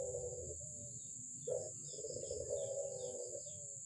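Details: Albino Barbary dove giving a brief low purring coo, then a sharp accented note leading into a longer rolling coo, over a rumbling background and a steady high whine.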